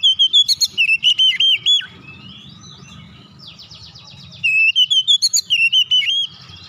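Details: Oriental magpie-robin basic song in dense rolls: two bursts of fast, wavering whistled notes with a softer scratchy phrase between them, over low background hum.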